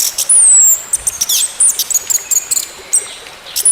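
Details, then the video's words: Orange-headed thrush song used as therapy to coax a silent bird back into singing: high thin whistles, one long falling slur, then a rapid string of short sharp notes and clicks. "TERAPI ANIS MERAH MACET BUNYI, BERTAHAP KEMBALI GACOR"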